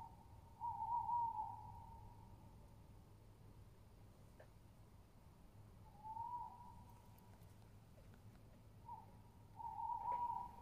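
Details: A tawny owl, recorded 22.07.20, gives three separate steady hooting notes spaced a few seconds apart. The last note is broken and wavering. Faint clicks and low rumble sound underneath.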